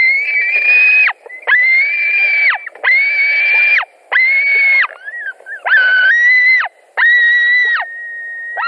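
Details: Latvian white-tailed eagle nest, 17 July 2020 at night, while two birds compete over a delivered fish: a series of about eight sustained squealing calls, later ones breaking into wavering, rising tones.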